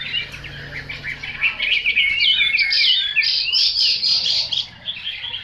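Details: ['Varied, fluid song of a Chinese hwamei: looping whistled phrases rising and falling, building to louder, ringing notes in the middle before fading, with a low hum underneath.']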